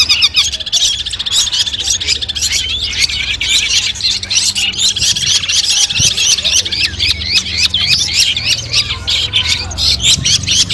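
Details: Long-tailed shrike song played as training audio before a competition: dense, rapid high chattering with quick repeated trills and thin whistled notes, many notes overlapping in a busy stream.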